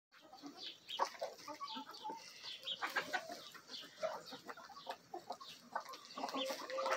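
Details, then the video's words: Backyard flock of chickens, a mixed-breed Bielefelder and Golden Cuckoo Marans rooster with Marans, Araucana, Easter Egger and Olive Egger hens, feeding in a frenzy; many short overlapping clucks and scratchy pecking clicks, with a few brief tonal notes. "Bielefeld Marans Rooster & Hens Feeding Frenzy!"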